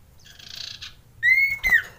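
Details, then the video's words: Male sirtu (Common Iora) in mating mood, used as a lure to rouse birds that sing little: a soft buzzy chatter, then a loud steady whistle held nearly half a second, a short break, and a falling whistled note. "Pancingan Cipow / Sirtu Untuk Cipoh Malas Bunyi"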